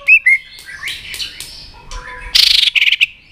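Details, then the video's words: White-rumped shama roused to fight-sing, giving two short whistles, softer warbles, then a harsh buzzy rattle and a couple of clipped high notes. "kích lửa cho chòe lửa hót"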